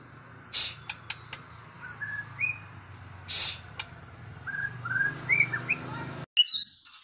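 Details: A white-rumped shama, used as a master song to make other shamas sing, sings short, clear whistled notes, some rising, with sharp clicks, a low hum, and a few higher notes after an abrupt cut.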